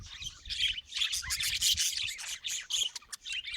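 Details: Budgerigar chattering: a dense, busy stream of high chirps, squeaks and scratchy warbles in uneven bursts, with brief dips between phrases.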